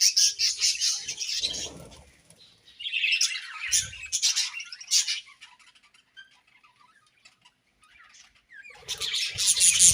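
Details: Budgerigars in breeding season, chirping: bursts of high, scratchy warbling and chatter in the first half second to five seconds, a quiet gap, then another dense burst of chirps at the end, with faint low thumps.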